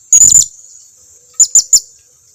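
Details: Shrill lure call of a blue-crowned hanging parrot, meant to prompt silent birds of its kind to respond: a harsh, very high chattering burst, then three piercing separate notes in quick succession over a continuous thin high tone.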